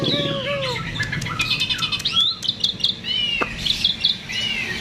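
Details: Energetic myna song played as a lure to get other birds singing: lower slurred notes open the phrase, then rapid chattering, clicking and high whistled notes follow in dense bursts, with one sharp snap midway.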